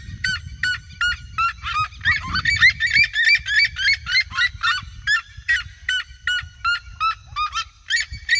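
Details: Red-legged seriema flock singing in regional fields, surrounding the person filming. Dense chorus of yelping, harmonic notes, fast and repeated, several birds overlapping in the first half, then a more even series, with steady low background rumble.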